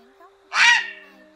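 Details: A grey heron flock-calling recording used as a lure for night trapping, August 2024: one loud, harsh, rasping croak lasting under half a second, over a faint steady hum.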